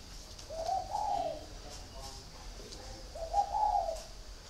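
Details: A caged spotted dove gives two mellow, throaty coo phrases about two and a half seconds apart, each opening with a brief note then a longer wavering coo, with faint murmuring in the background.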